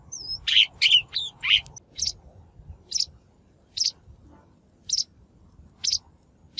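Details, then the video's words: Shrike lure recording used for trapping or voice-training caught birds: a rapid burst of harsh notes with a high whistled slur, then single scratchy notes repeated roughly once a second. "Tiếng chim Bách Thanh mồi"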